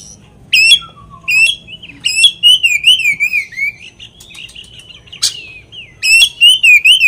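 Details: Oriental magpie-robin singing as a lure to agitate another magpie-robin: loud, varied whistled song of sharp down-slurred notes and wavering warbled phrases, ending in a rapid series of bright repeated notes.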